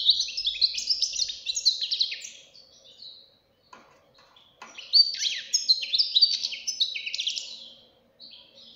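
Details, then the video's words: Young European goldfinch singing a strong, high-quality song: two bursts of rapid twittering with buzzy, descending notes and tinkling trills, separated by a short pause. "غناء فرخ طائر الحسون"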